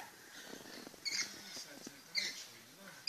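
A rainbow lorikeet gives two short, harsh, high screeches about a second apart over a soft background hiss.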